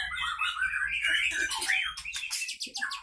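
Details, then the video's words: White-rumped shama from the Leuser Pining area of Aceh, caged and fighting; bright warbled whistles followed by a fast high rattling trill, with a low hum underneath. "Murai batu Aceh Leuser Pining CBF ACEH Tempur di kandang"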